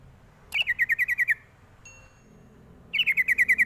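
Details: Two long runs of about nine rapid, bright chattering notes, each run slightly falling in pitch, from a sooty-headed bulbul call meant to lure young birds to respond; a faint tone sounds between the runs.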